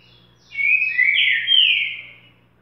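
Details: Boca mole style song of a green-winged saltator: a single sustained, warbling whistled phrase of about two seconds that swells and then fades, with a light low hum in the background.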